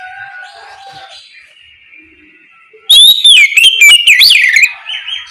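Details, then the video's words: Morning ngeplong of an Oriental magpie-robin, used as a lure so others will answer; soft distant whistles lead into a loud, nearly two-second flurry of fast, bending whistled notes ending in a held tone. "Suara ngeplong Kacer di pagi hari, pancingan Kacer agar mau nyaut bunyi!!"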